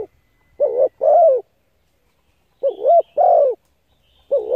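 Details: Spotted dove cooing played to attract and stimulate decoy birds: clean repeated phrases about every two seconds, each a short bouncing double note then a louder, longer falling coo, over silence.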